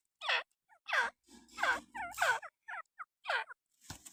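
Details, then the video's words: Francolin known as irani teetr giving a series of harsh, grating downslurred notes, roughly one every half second, with faint low rumbling noise underneath some of them. "irani teetr ki awaz"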